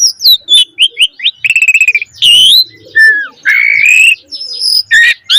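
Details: Energetic Javan pied starling song in the gacor mompa style, offered as a lure and tutor for young starlings: loud whistled notes, a fast stuttering rattle, then long rising and falling whistles with sharp chirps.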